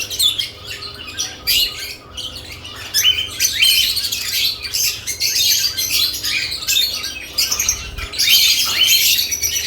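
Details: Lovebirds around added nest boxes, calling in irregular, high-pitched chirps and scratchy squawks, bursts coming every second or so and building into louder chatter toward the end.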